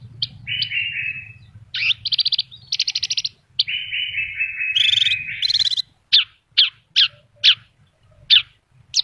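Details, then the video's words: Horsfield's bush lark singing vigorously, song full of filler phrases: drawn-out buzzy whistles, rapid rattling trills and very high squeaks, then a series of sharp separate chirps about twice a second; faint low hum beneath. "BURUNG BRANJANGN GACOR FUL ISIAN"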